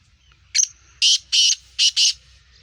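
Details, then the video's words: Sindhi kala teetar (black francolin), Gangas Sheedi cross with a nasal speeder voice: a thin sharp opening note, then four harsh grating notes in two pairs, each roughly a quarter second long, against faint low rumble. "Speeder Kala Teetar Gangas Sheedi cross Nasal Black Franclion Voice Sindhi Teetar"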